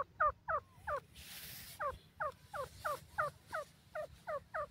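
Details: Grey francolin chicks in their first days outdoors: spaced, wavering peeps repeating roughly every third of a second, interrupted by a soft hissing rustle, over a low rumbling background.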